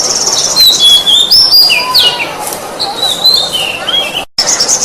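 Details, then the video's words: Oriental magpie-robin (kacer), a masteran training recording of a vigorously singing bird: clear whistled phrases, some sliding down and others rising, with quick high chirps in between, a brief cut near the end, and a faint hiss behind. "Suara burung kacer gacor masteran"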